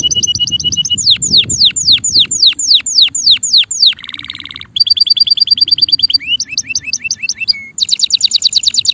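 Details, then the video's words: A singing male canary runs through varied tours: clipped double-toned chips, loud descending whistled sweeps, a low buzzy roll, then fast rising notes and dense high trills. "canario macho cantando"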